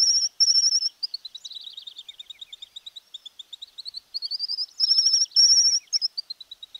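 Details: Argentine tijerilla, the Streamer-tailed Tyrant, singing high, sustained whistles broken by quick runs of short squeaky notes, with the pattern repeating in bursts throughout.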